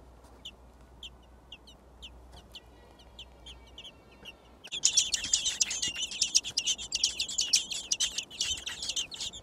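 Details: In a garden nest holding six thrush chicks, sparse thin peeps are followed after a few seconds by a sudden loud outburst of rapid, high, harsh begging chirps from the nestlings as they are fed.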